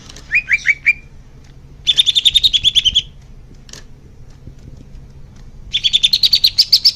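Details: Greater green leafbird song played to make caged birds sing: three quick whistles, then two bursts of rapid buzzy trilling separated by a quiet gap.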